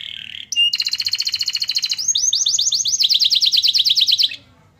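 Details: A canary sings with phrases copied from the Oriental white-eye, meant to raise other birds' excitement: a short whistle, then a long fast trill of repeated notes, shifting into a rapid series of rising chirps.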